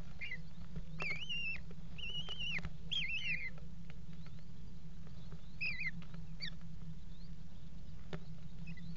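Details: Eurasian kestrels pairing on the rim of a nest box in a water tower, 5 February 2018; three bursts of trilled, wavering whining notes in the first seconds, a short pair of calls later, and background hum.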